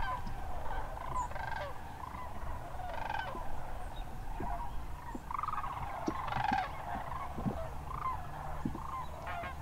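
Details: Sandhill cranes in and around Hiwassee Wildlife Refuge, Birchwood, Tennessee, on a January day: scattered far-off rattling calls from a flock beneath a heavy low-pitched background rumble.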